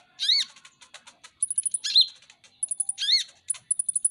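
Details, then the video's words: Van Hasselt's sunbird, the ninja hummingbird, a popular cage bird, in a tutor recording: high thin ticking notes mixed with loud buzzy, sharply descending chevron-shaped calls repeated in bursts. "masteran KONIN dacok ngobra ngobra"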